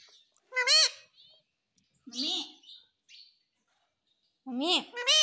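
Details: A pet parrot talking and saying "mummy": three loud, speech-like harmonic syllables with rising and falling pitch, separated by short pauses, plus a few faint high chirps between them.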